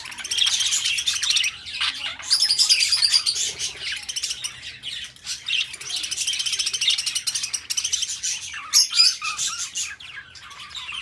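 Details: Pet budgerigars chattering indoors: dense, scratchy warbling with rapid buzzy chirps and squeaky notes running almost continuously, bursts rising and fading over several seconds, no other clear sounds.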